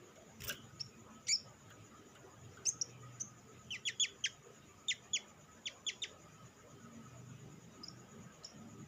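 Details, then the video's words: Sharp high sunbird chips, used to stimulate other sunbirds to sing, scattered across nine seconds in small bursts of two or three, with a thump at the start and low background hum. "SUARA PANCINGAN BURUNG SOGOK ONTONG; Merangsang sogon ijoan cepat bunyi"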